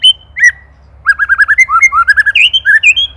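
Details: Indonesian white-rumped shama used as a master recording for songbird training, ketrekan style: two clear whistles, then a rapid stream of short looping notes climbing in pitch toward the end.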